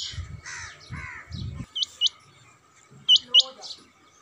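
A male rain quail gives two pairs of sharp, high, metallic double notes about a second apart. Low voices murmur at the start.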